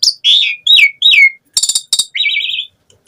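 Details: Gacor song of an Asian pied starling: clear down-slurred whistles, a pair of scratchy harsh notes, then a wavering trilled whistle before fading.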